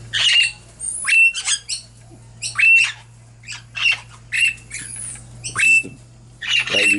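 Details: Baby princess parrots, recently fledged and flying in an aviary cage, on 17 December 2017, giving harsh, rasping squawks about once a second, some with a grating buzz, over a steady low hum.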